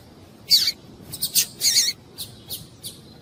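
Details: Female double-collared seedeater calling, a call used to excite males into singing: a few short, sharp high chirps, two louder bursts separated by fainter clipped notes, then three brief ticks spaced about a third of a second apart.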